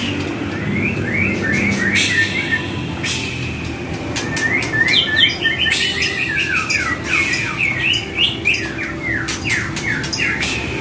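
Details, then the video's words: White-rumped shama song for coaxing replies from other shamas: dense, rapid chattering and clipped whistled notes in continuous fast bursts. "Trek Murai Batu"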